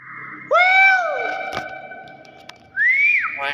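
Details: Nias hill myna giving its natural voice: loud, clear whistled notes that rise and then fall in long arcs, a pause of over a second, then another rising-falling whistle.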